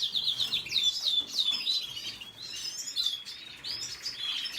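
A red siskin sings a fast, high twittering song of rapid chirps and buzzy trills, run together almost without pause.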